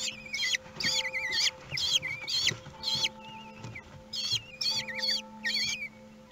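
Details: At a Théding kestrel nest in France, 2 June 2020, as a huge prey is brought for the meal: insistent, quavering, whiny calls in rapid wavy bursts, roughly two per second, over a steady low electrical hum.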